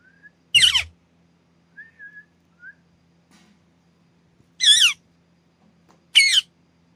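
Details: Green ringneck parrot kept as a pet: three loud, grating screeches spaced a couple of seconds apart, with soft thin whistles between them.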